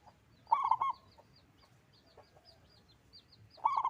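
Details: Local zebra dove singing actively with a big, loud voice: a short burst of rolling, bubbling coos, then a pause of about three seconds before the next phrase begins. Small high chirps from other birds sound faintly behind.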